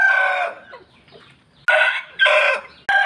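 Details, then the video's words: A rooster crows at dawn, giving loud, harmonic, harsh sustained crowing bursts with brief pauses between them. "roosters crowing in the dawn, manok galing tumitilaok"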